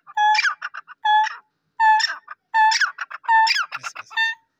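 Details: Black francolin, Pakistan. Harsh rhythmic phrases of a low clear note, then a buzzy upward sweep and clipped ticks. There are four bursts with short silent gaps between them, and no background noise.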